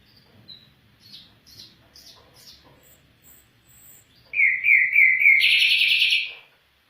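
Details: Afghan bulbul singing: a few soft, scattered notes, then a loud burst of rapid buzzy chattering trills that ends abruptly.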